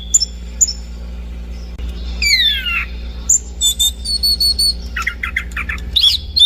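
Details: Orange-banded thrush uttering short high whistles, a descending slurred sweep, then a string of quick falling notes and squeaky twitters, with a steady hum behind.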